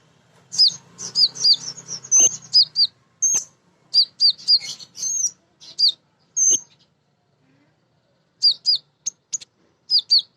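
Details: Energetic female crimson sunbird singing to call a male: series of piercing high, clipped chirps in quick runs, pausing briefly before resuming similar sharp notes, otherwise a clean quiet background.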